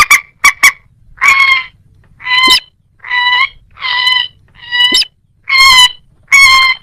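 A moorhen gives loud, nasal, honking notes, repeated roughly once a second after a few sharp opening clicks.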